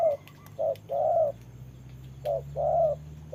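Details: Decoy spotted dove used in trapping, confronting a wild bird in the rain; mellow low coos, a clipped note then a longer rounded one, two phrases with a gap between.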